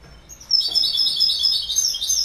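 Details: Goldfinch in full song, an unbroken, excited run of high, tinkling, buzzy twitters starting abruptly and continuing to the end.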